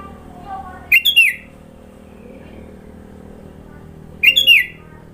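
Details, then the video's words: Sooty-headed bulbul from Sidoarjo, East Java, singing a song rich in fill-in phrases: two short bursts of bright, slurred whistled notes about three seconds apart, each a quick trio of rising and falling syllables, faint background hum between. "Burung kutilang suara isian banyak"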